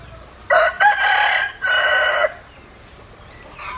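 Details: Rooster gives a loud crow of a brief first note and two extended harsh syllables, ending after about two seconds. Faint sounds follow.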